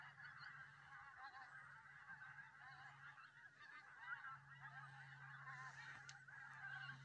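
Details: Geese on the Solway Firth at Southerness, Dumfries, southern Scotland: a large flock gives a dense, continuous chorus of overlapping honks and yelping calls with no pause. A steady low rumble runs beneath.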